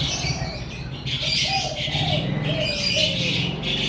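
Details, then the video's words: Dense high chirping and twittering from birds in front of a house in the morning, with short low cooing notes and a continuous low rumble underneath. "Suara Kicau Burung"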